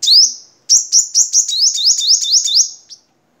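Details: Vietnamese crimson sunbird song for tutoring caged birds: one rising sweep, a short pause, then a fast chain of about nine high, upslurred notes running together for two seconds.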